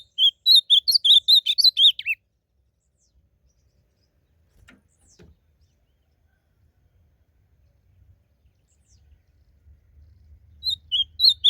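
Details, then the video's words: Blue-black grosbeak in the wild, in a singing duel: a quick series of sweet whistled notes, ending with downslurred notes, then a long quiet gap with faint clicks and low rumble before the phrase starts again. "Azulão disputando canto na natureza"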